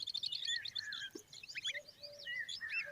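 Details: Young common babblers next to their mother make rapid squeaky twitters, quick rising and falling chirps that tumble over each other, along with a few lower drawn-out notes near the end.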